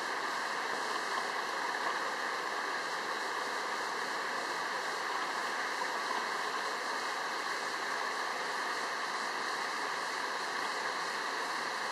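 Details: Steady rushing of a mountain stream, with no animal calls standing out. The water noise stays even and broad throughout.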